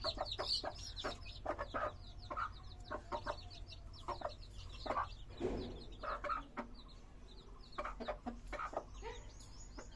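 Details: Colourful baby hens peep in a crowded chorus of shrill, descending cheeps, with a brief lower, softer sound midway and a low hum throughout.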